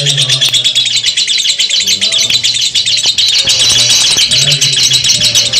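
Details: Lovebird chattering in the long ngekek style, shrill rapid notes pouring out in a continuous buzzy stream, with a few sharp clicks and a faint low hum behind.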